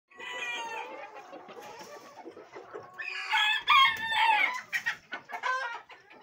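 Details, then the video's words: Silver Sebright chicken hens on a poultry farm in Pakistan, 11 February 2023, cluck and cackle in a busy, overlapping chorus of nasal, irregular notes, with a louder burst of squawks midway. "Silver Sebrite hens"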